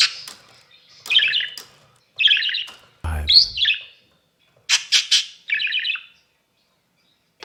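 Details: Kept budgerigar from an exhibition stock, uttering a series of brisk, scratchy chirps and squawks in irregular clusters, with one low thump partway through and quiet pauses between phrases.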